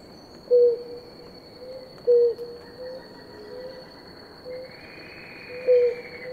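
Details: Pair of blue ground doves drinking water; short low hoots repeated about every one and a half seconds, three loud and several fainter, over a constant high whine.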